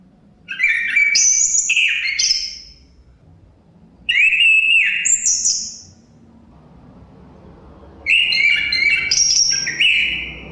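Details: A chestnut-capped thrush repeats varied whistled song phrases roughly every four seconds. The notes are clear and flute-like, leaping from mid to very high pitch, over a soft wind sound.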